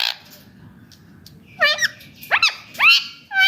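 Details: Indian ringneck parakeet, a pet talking parrot, breaks a quiet stretch with three or four quick, shrill, curving squawks near the end, over a steady low hum.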